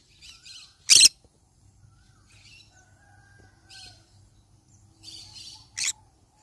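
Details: Yellow-sided conure parrot letting out a piercing, harsh squawk early on, soft chatter in between, and another shorter screech near the close.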